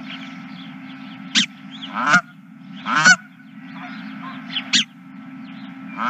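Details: Several geese honking, with loud rough honks coming in irregular pairs and singles and fainter calls between them, against a steady low hum.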